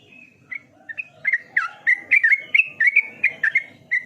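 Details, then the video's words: A lone opening note, then a yellow-vented bulbul pours out a long, steady series of around fifteen gurgling, liquid chirps, evenly spaced and melodious, against a quiet background. "Terapi burung trucukan cepat Gacor"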